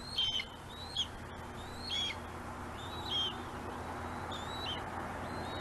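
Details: Bald eagles on a Gabriola island webcam nest, one keeping its prey, another patiently waiting; clear high whistled notes, some slurred downward, repeat about once a second before tapering off, with background hiss.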